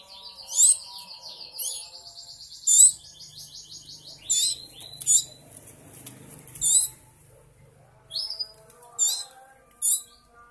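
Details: Hand-fed canary nestlings, three weeks old, give scattered shrill squeaks and rasping, trilled begging notes in uneven bursts separated by short pauses, over a soft low background hum.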